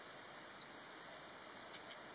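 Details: A male Red-flanked bluetail perched on a branch, recorded 13 December 2021, gives two thin, high, whistled notes about a second apart, each brief and slightly falling, over a quiet background hiss.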